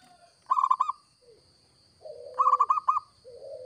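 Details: Local zebra dove, vigorous lure song: two bursts of fast staccato cooing, alternating with lower, drawn-out mellow coos from another dove nearby, plus a soft low rumble and a steady high whine.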